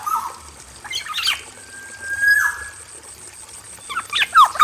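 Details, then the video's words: Male Black-naped oriole in an aviary cage: an opening whistled slur, a harsh scratchy burst, a long level whistle that drops at its end, then quick sharp notes, over a continuous high hiss. "PANCINGAN SUARA KEPODANG EMAS JANTAN GACOR FULL ISIAN DI KANDANG AVIARY"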